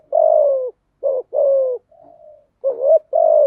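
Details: Spotted dove song played to train newly caught doves to sing: loud throaty coos around 500–700, long slightly falling notes with short rising ones, in uneven phrases, a faint softer coo between, no other sounds.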